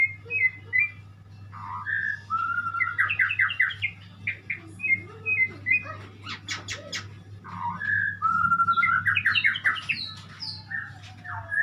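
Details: Murai songbird, the white-rumped shama, in a lively varied song: short whistles, fast rattling trills and sharp clicking notes mixed together, with rising whistled runs repeating, over a low background hum.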